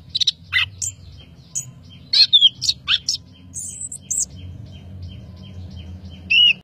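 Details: Master recording of an Orange-headed thrush in gacor song, full of fill: scattered sharp high notes and short warbles, a thin high whistle, then quieter soft ticks and a final clear note.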